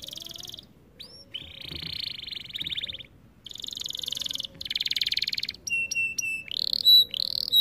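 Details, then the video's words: Canary training song, made of long buzzy rattling trills of rapid pulses broken by brief pauses, followed by short flat whistled notes and a rising whistle. "Melodies Canary bird song | Training video"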